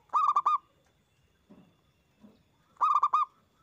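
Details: Zebra dove singing loudly as a master recording that coaxes other doves to answer: two rolling cooing phrases of four notes, with a few soft low rustles between them.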